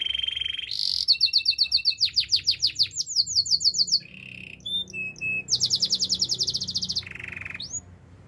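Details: Canary singing a varied melody: a held mid-pitched tone, rapid bursts of high sweeping whistles, a short low roll, then a long high buzzy trill and a final lower rolling note.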